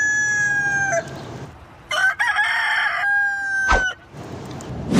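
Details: Crowing roosters around the yard, a held tail of one crow fading, then a broken loud crow starting and a steady sustained crow, with a sharp knock between.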